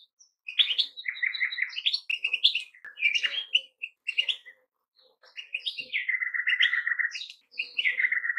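Goldfinch song: a fast, bright jumble of liquid twitters and tinkling notes with buzzy trills, in bursts of one to two seconds.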